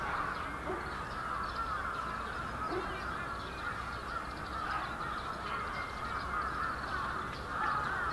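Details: Large flock of wintering bramblings, Yoyogi Park, Japan, February 2019; countless overlapping twittering calls merge into an unbroken murmur, with a few lower notes early on and a slightly louder burst at the end.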